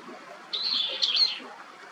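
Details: Brown-eared bulbul (Hypsipetes amaurotis), call.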